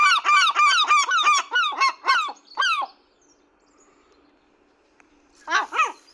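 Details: Very loud seagulls at a feeding give a quick run of harsh laughing yelps that fades off. After a few seconds of near quiet, one final burst of squealing cries follows.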